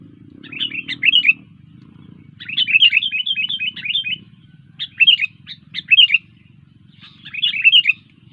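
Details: Sooty-headed bulbul in full song, delivering four separate bursts of rapid bubbly chirps and warbles with brief gaps between, over a faint low background hum.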